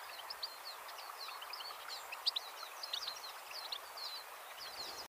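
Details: A wild Goldfinch twitters in quick, high, tinkling chirps and slurred notes, packed closely with barely a pause, over a steady background hiss.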